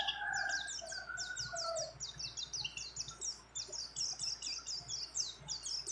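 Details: Female mountain white-eye calling a male during breeding condition: steady runs of high, sharp down-slurred chirps repeated quickly, while another bird gives lower drawn-out whistles early on.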